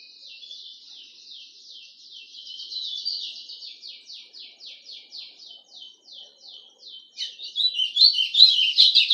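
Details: A pet golado, the White-throated Seedeater, delivers a high song of evenly repeated down-slurred notes, roughly two and a half per second. It swells into a louder, faster jumble of chirps at the end.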